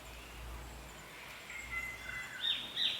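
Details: In tropical rainforest in North Queensland, Australia, a distant Spangled Drongo, seen feeding on a stick insect, gives a few twangy, metallic rising-and-falling notes over faint forest hiss; another drongo calls and it answers.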